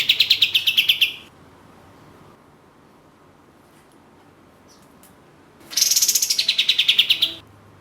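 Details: Lure recording of a prolifically singing orange-spotted bulbul: a short run of quick, buzzy pulsed notes ends, then after a quiet gap a loud rattling burst starts high and slides slightly downward, about twenty fast repeated notes.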